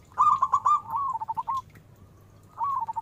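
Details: Local zebra dove with a strong voice, sung as a lure: a quick bubbling run of coo notes trailing into softer trilled ones, then another phrase starting, faint hum behind.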